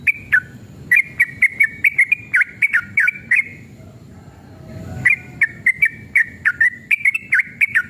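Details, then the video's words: Male sooty-headed bulbul in emotional, combative song with long rapid phrases, used to make other bulbuls sing. A fast string of chirpy whistles breaks off for over a second, then restarts with the same brisk, bouncing notes. "trucukan gacor EMOSI ROPEL PANJANG pancingan trucukan agar bunyi"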